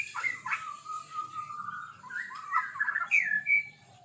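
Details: White-rumped shama singing relaxedly in the morning, as if greeting the day. The soft song opens with a long, level whistle. Warbled phrases follow, rising and falling, and end on a brief high whistled note. The background is quiet.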